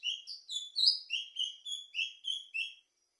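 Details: Plumbeous seedeater singing a fast, steady series of about a dozen high slurred notes, sweet and whistled, several dropping in pitch, roughly four per second, ending abruptly.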